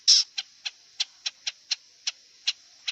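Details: Wild long-tailed shrike giving a series of short, sharp ticking notes after one loud harsh note, repeated roughly every third of a second, dry and high-pitched against a quiet background.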